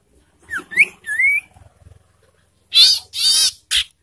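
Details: Ashy tailorbird calling as a lure to provoke and stimulate breeding birds: three clear whistled slurs, then a brief pause and three harsh, buzzy scolding bursts.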